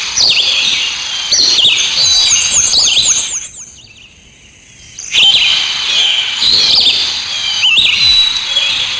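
Bright, high chirps and twittering from small birds, several overlapping, with a brief quiet gap midway before the chirping resumes.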